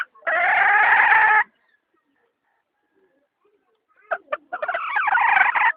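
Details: Hen calling: a long, loud, harsh harmonic note lasting over a second, then a few seconds of silence, then short clipped notes running into another drawn-out raspy call.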